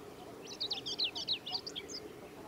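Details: Singing male Chestnut-eared Bunting, Yashimagahara Marsh wetland, 15 July 2018: a loud rapid run of sharp high chips and buzzy slurred notes lasting about a second and a half, closing with a couple of thinner notes, faint hum beneath.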